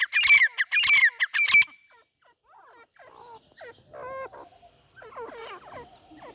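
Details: Partridge giving loud, harsh repeated notes at first, then quieter downward-sweeping chirps and clipped tonal notes in an irregular series.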